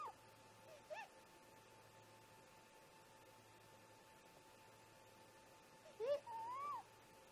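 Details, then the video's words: Great grey owl parents talking near the snag nest in the early morning around 4:25 a.m.: a few short scattered notes, then a rising yelp followed by a longer whistled, upslurred call against quiet background hiss. "Great Gray Owl - Parents Have a Talk"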